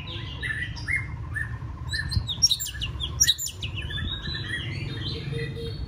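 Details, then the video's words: White-rumped shama in training for a singing contest, practising spaced apart from rivals to build confidence: a quick string of sharp high chips and short squeaky notes over a steady low rumble. "Kích lửa chuyền đấu hót solo sàng cầu rực rỡ"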